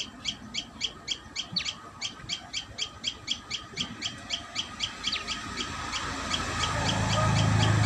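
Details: Common tailorbird at the nest giving a fast train of high, sharp chirps for about six seconds, then fading as a rising low rumbling noise takes over.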